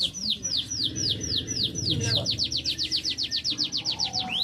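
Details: Canary song of repeated falling whistled notes that speed into a rapid even trill, over steady low rumbling background noise.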